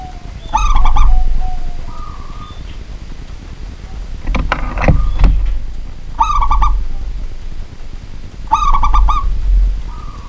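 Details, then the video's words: Local zebra dove singing at night in a house: repeated bursts of rapid rolling coos, each trailed by a long even note, interrupted midway by loud clattering knocks. "BURUNG PERKUTUT LOKAL GACOR DI MALAM HARI"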